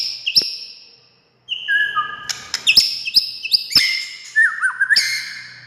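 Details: White-rumped shama song meant to get silent birds singing: high whistles, a pause, then lower sustained tones, followed by bright whistled phrases broken by sharp clicking notes.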